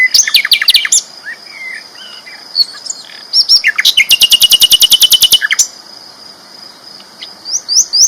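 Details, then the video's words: Loud, persistent song of a sikatan londo flycatcher: scattered chips and twittering notes, then a long rapid rattle lasting about two seconds, ending in high rising chirps. "BURUNG SIKATAN LONDO GACOR ISTIMEWA KERAS LANTANG"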